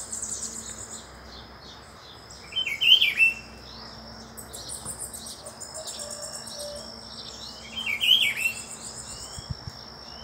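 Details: One of a visiting pair of Rufous-browed Peppershrikes in Brazil gives two short, rich whistled phrases about five seconds apart, over a steady high buzzing of insects.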